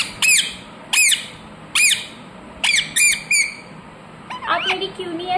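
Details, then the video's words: Pet rose-ringed parakeet in a room uttering piercing, falling squawks spaced under a second apart, followed by a softer, lower chattering warble. "Ringneck parrot Naturals Sound"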